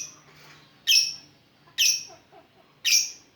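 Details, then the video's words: Lovebird singing 'ngetik', a style played as a lure to prompt other lovebirds: three loud, harsh, high squawks about a second apart, with quiet room noise and a faint low hum between them. "Love bird ngetik pancingan ampuh"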